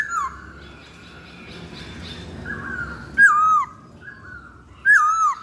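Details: Masked laughingthrush lure song: two loud whistled phrases that slide downward with a wavering tail, about one and a half seconds apart, over a quieter run of warbled notes.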